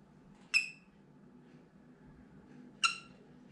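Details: Pet green-cheeked conure indoors, looking out a window where sounds, movements or other birds set off loud screaming; here only two short, sharp, harmonic chirping calls about two seconds apart over a low room hum.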